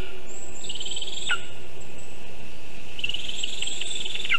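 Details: Lesser spotted eagle at a nest built in a birch in Zemgale, morning of 19 August 2023, vole delivered. A thin pulsed call ending in a downslur, then a longer wavering high call, over a soft hum.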